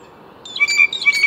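A blue jay gives a brief, clear, bell-like ringing note held steady for under a second, mixed with short harsher bursts.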